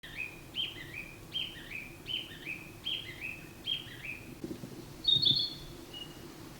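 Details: Male Narcissus flycatcher recorded on 10 May 2026, which imitated a Chinese bamboo partridge call for the first few seconds: six quick two-part whistled phrases, each a high note dropping lower, about every 0.7 seconds, then a brief high, thin phrase.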